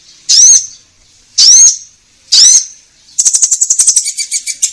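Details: Singing orange-headed thrush meant to draw caged birds into song. Three loud, upslurred whistles about a second apart lead into a fast, buzzy rattling trill that slows toward the end.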